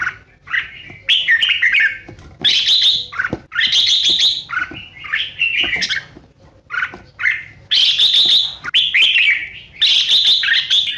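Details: Red-whiskered bulbul giving 'ché' and 'xòe' style competitive song, meant to lure and stir rival bulbuls. Short bursts of lively whistled and chattered phrases repeat with brief gaps throughout, loud and varied.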